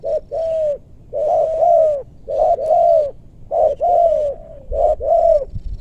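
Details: In a maranti wood forest of west Bogor, a spotted dove used for luring gives strong, mellow coos in rapid pairs, short note then longer bowed note, four phrases in quick succession with a faint thump.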